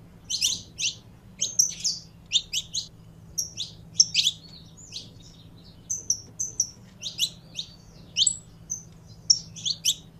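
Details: Saffron finch being fired up: scattered sharp high chirps, single and in pairs, with short whistled notes between and gaps of silence, plus a faint low droning hum.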